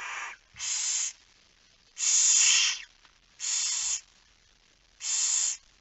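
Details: Barn owl at its nest at night during feeding: five harsh, noisy hisses of varied length, the middle one longest, with quiet pauses between.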